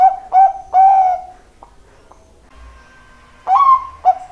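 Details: Zebra dove calling vigorously: clear, mellow, tone-like notes in short rising and level phrases, then a pause and another pair of notes.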